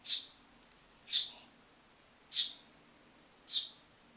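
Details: Hand-fed baby starling begging, cued by a door shutting; four loud high hissing calls spaced about a second apart in a quiet room.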